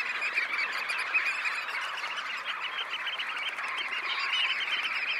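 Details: Red knots, about 20,000 birds, departing a high tide roost: busy, rapid-fire calling from the whole flock, building slightly louder toward the end.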